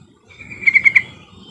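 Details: Yellow-vented bulbul lure call to prompt other birds to sing: a brief bubbly trill of four quick notes over a steady tone, with low background hum.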